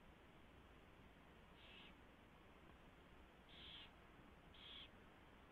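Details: Early-morning owl nest scene on 24 February 2016 with a mouse delivered and fed: three short, noisy hissing screeches, the later two louder and about a second apart, over a continuous hum.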